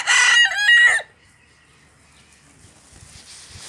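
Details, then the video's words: Cochin rooster crowing in a park, the loud harmonic crow already underway at the start and ending abruptly after about one second with a drawn-out final note, followed by quiet park background. "Cochin rooster crowing"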